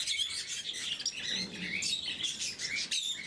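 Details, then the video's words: During morning feeding, blue-mutation lovebirds keep up a constant high squeaky chatter, short sharp chirps crowding together from several birds. "Попуги неразлучники, утреннее кормление"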